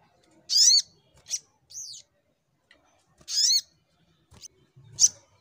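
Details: Brown-throated sunbird in fighting mode, shooting-style song: scattered loud, squeaky rising notes with softer short chirps between them and faint low background noise.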